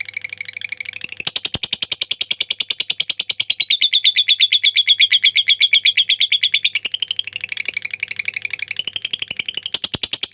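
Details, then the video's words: Lovebird giving a long ngekek, a rapid chattering trill, in a tutor recording for training birds. One unbroken run of fast, evenly pulsed high notes lasts about five seconds, then a brief pause and further bursts of the same trill. "LOVE BIRD NGEKEK PANJANG"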